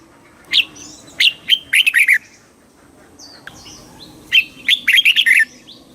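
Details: Thai red-whiskered bulbul singing southern master-style song meant to excite other birds and tutor youngsters: two lively phrases of clear, rising and falling chirps, with faint high whistles in the gap.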